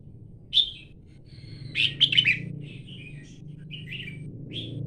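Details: Red-whiskered bulbul giving a bright chirp, then a cluster of rapid warbled notes, followed by softer scattered whistled phrases, above a steady low hum.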